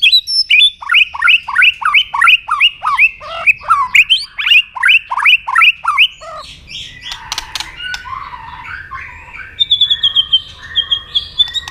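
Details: White-rumped shama singing a fighting song to provoke a rival: a long series of quick descending whistled slurs with sharp clicks, then a noisy rattling passage and a thin high trill.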